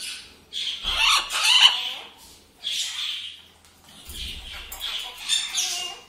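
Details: Pet Blue-and-yellow Macaw indoors: a run of loud, harsh, screechy squawks in three bursts separated by brief pauses, rough and broadband, with a low thump or two underneath.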